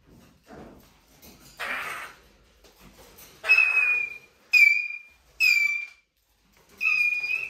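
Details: Eurasian jay squeaking plaintively: after some soft rustling and a hissy noise, four loud, drawn-out whistled squeals follow in quick succession.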